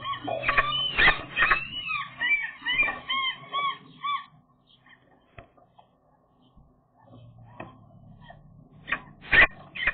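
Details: Eurasian magpies in late April, a breeding pair defending their spruce nest against a young pair during egg-laying time: a burst of harsh, nasal, harmonic calls repeated rapidly for four seconds, then near quiet with scattered clicks and two final loud calls.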